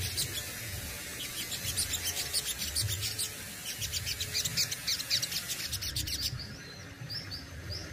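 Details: Caged Indonesian Crested Jay delivering besetan and tembakan song: a fast run of thin high chirps over steady background hiss, then a few isolated rising whistled notes near the end.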